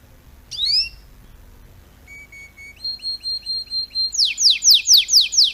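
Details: Tutor song of a canary for young birds: a single rising sweep, soft spaced whistled pips, a run of steady high whistles, then loud rhythmic descending notes about twice a second.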